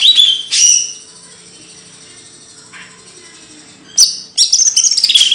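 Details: Bird song from kicau burung materi: a high whistled note and a sustained thin tone, a near-silent stretch, then a fast high warbling twitter.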